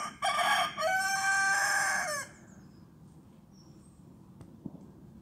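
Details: Rooster crowing: a loud, harsh, harmonic-rich crow held for about two seconds with a brief break near the start, ending abruptly. Quiet background with a few faint distant bird chirps and a soft click.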